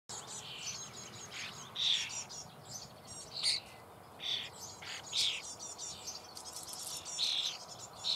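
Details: Common starling chicks in a nest hole in the Eifel near Büchel, being fed: short raspy hissing bursts repeated irregularly, mixed with thin high chirps and a steady background hiss.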